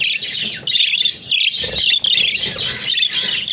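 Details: Talking pet budgerigars: continuous bright, buzzy high chatter with twittering trills, briefly dipping in loudness midway, then resuming.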